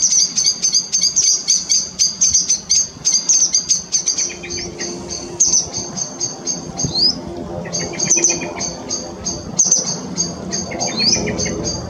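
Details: Grey wagtail family down at a river gives sharp, high-pitched chirps in rapid, busy runs, then spaced single notes with an occasional upslurred whistle, over a soft low background rumble.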